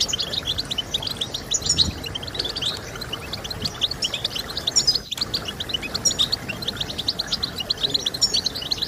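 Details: Goldfinch twittering meant to encourage singing in kept birds, a rapid stream of thin, high chirps and occasional brighter liquid notes, constant throughout, with a hissing background and one short break near the middle.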